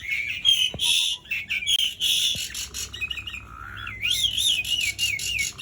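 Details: Asian pied starling singing a long rolling 'gacor' song, used to prompt silent starlings into singing: whistled notes near one pitch, harsh chatter, then a wavering warbled whistle rising and falling five times.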